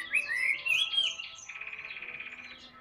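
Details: Chinese hwamei, a large, tame, hand-carried caged bird said to sing a great deal: loud sweeping whistled notes for about a second, then a fast buzzy pulsed trill held steady to the end, indoors.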